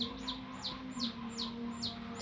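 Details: A young chicken follows its carer's hand and gives soft, high, falling peeps at an even pace about four times a second. The peeps are partly covered by a loud low electrical hum.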